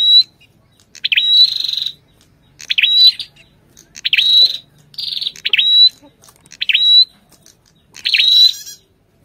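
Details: Male ashy tailorbird heard together with a female: six evenly spaced phrases about every 1.5 seconds, each a sharp swooping chip run into a short buzzy burst.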